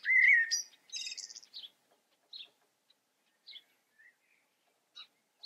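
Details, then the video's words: A common blackbird sings one mellow, fluty whistled phrase ending in a squeaky, high twitter, followed by a few faint scattered chirps. "Amsel singt. Blackbird sings"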